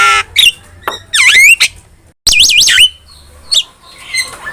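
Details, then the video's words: Vigorous starling song meant as a training and trigger recording for pet starlings: loud looping whistles sweeping up and down, sharp buzzy notes, and a brief silent gap midway, with a faint low hum beneath. "OCEHAN JALAK GACOR"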